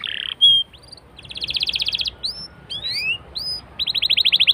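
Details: Canary song used as a prompt to get other canaries singing: buzzy trills, short upslurred whistles and a fast pulsed rattle near the end, phrases changing every second or so.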